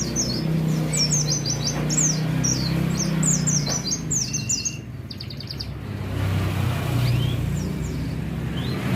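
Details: Oriental white-eye set out by a roadside, pouring out fast high twittering notes for several seconds before traffic rumble swamps the scene and only a few faint chirps remain.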